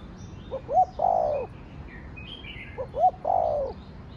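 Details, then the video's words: Two spotted dove phrases in the 'thổ đồng' style used to provoke other doves: soft double pips, a rising hooked note and a long falling coo, a pause between; high twittering of other birds in the background. "Cu gáy giọng Thổ Đồng Thúc, Gù kích bổi nhanh nổi/ tiếng chim cu gáy giọng thổ đồng gáy, cu đất gáy"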